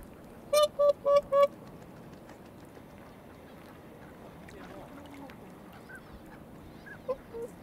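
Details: Whooper swans on a marsh pond in late February, around 2 pm, calling one after another: four short nasal honking notes in a quick even series, then faint distant calls over a steady background hiss.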